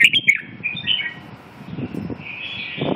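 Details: Red-whiskered bulbul uttering a few sharp whistled notes at the start, then softer drawn-out warbling, with low rustling and knocking noises in the background.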